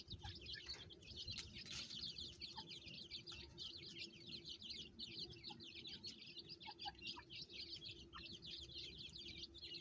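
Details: Group of farmed francolin chicks with the mother calling them; constant dense high-pitched cheeping, many birds at once, a few lower chirps near the middle, over a steady low hum.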